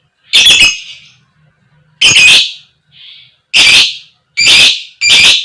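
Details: Female fighter lovebird giving koek koek lure calls for other lovebirds: five shrill, rasping shrieks that come faster toward the end, with one faint short note between the second and third.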